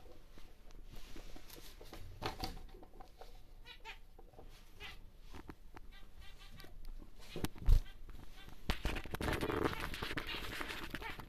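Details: A big normal grey male zebra finch kept for breeding sings a brief burst of nasal, trumpet-like notes midway, then fades behind clattering and rustling noise.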